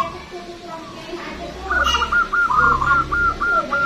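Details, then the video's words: Local Zebra dove, a strong long-voiced bird used as a lure, starts a rapid run of pulsed coo notes halfway through, preceded by murmuring background noise and a steady faint tone. "PERKUTUT LOKAL GACOR SUARA BESAR DAN PANJANG"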